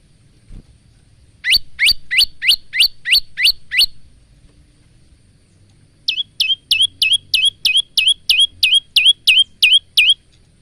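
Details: Singing male bar-winged prinia, recorded on a phone as a training song for caged birds: one burst of seven rising high chirps, a pause, then a longer run of twelve hooked notes.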